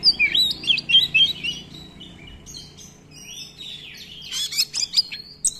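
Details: Oriental magpie-robin in full song, long rolling phrases and fill-in melodies meant as a lure and tutor: rapid tumbling whistled notes, rising and falling slurs, and a burst of dense chattering toward the end.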